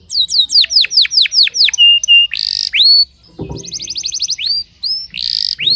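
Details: Timbrado canary training its song in the early morning: downward-swept whistled notes repeated in a run, then a buzzy trill, rising notes and a fast rattling series of high tours.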